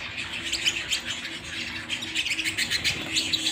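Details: Domestic canary singing indoors at home, a fast stream of bright chirps and warbled trills repeated several times a second, with a faint steady low hum beneath.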